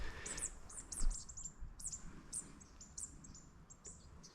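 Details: Several Buff-rumped Thornbills in cypress pines along a creek in woodland near Barraba, New South Wales, give very high, thin chirping and twittering notes in quick scattered bursts over low wind rumble.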